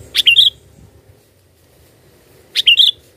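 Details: Lure sound for trapping birds: a sooty-headed bulbul delivers two short, bright phrases of rapid whistled notes, about two seconds apart, each finishing with a downslurred note.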